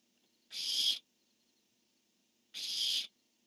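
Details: Barn owls calling back and forth, male first and female answering, dated 10-1-15: two drawn-out, noisy screeches, each about half a second long, two seconds apart against near silence.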